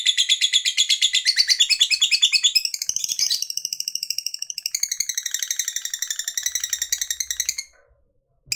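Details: Lovebird fighter delivering a long ngekek panjang chatter meant to stir up other birds: a dense, rapid stream of shrill buzzy notes running for over seven seconds, shifting pitch midway, then stopping abruptly into silence.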